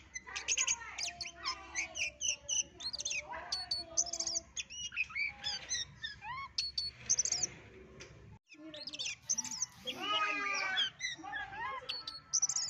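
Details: Long, varied song of a white-legged Oriental magpie-robin from West Sumatra: rapid sequences of sharp chips, whistled slurs and buzzy trills in bursts, broken by a short pause before another rich, rattling phrase.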